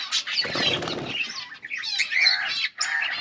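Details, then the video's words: Group of yellow budgerigars recorded August 20, 2024: a flutter of wings early, then warbled chirping chatter broken by two short pauses. "Beautiful yellow budgies chirping sounds"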